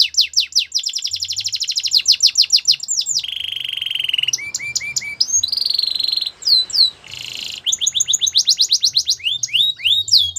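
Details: Belgian canary singing: fast rolled trills and falling whistles, a lower steady buzzing trill, short upslurred chips, then a bright rattle and further rapid repeated notes.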